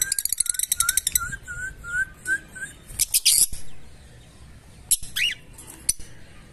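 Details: Fischer's lovebirds with a quick train of shrill chirps at the start, short whistled notes repeated beneath it, and later a few harsh high squeaks separated by pauses.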